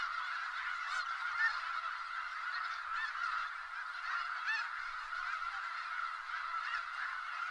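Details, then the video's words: Skagit Valley snow geese fill the air with a constant din of overlapping nasal honks, a dense flock chorus with individual yelps surfacing now and then. "Sounds of Snow Geese"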